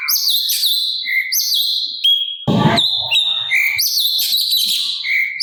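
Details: Sooty-capped babbler singing actively on a master track for teaching other songbirds: bright shrill whistles slurred up and down in quick phrases, interrupted midway by a brief loud rattling noise burst.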